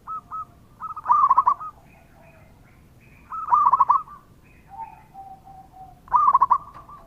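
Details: Local Indonesian zebra dove in full song, played as a lure to prompt other doves to answer: short bursts of rapid, staccato mellow coos, a phrase roughly every two to three seconds, with softer lower cooing notes between them.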